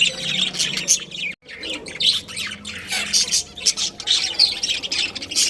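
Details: A breeding pair of budgies chatters in rapid high chirps and harsh squawks, with one short break, then the scratchy warbling resumes.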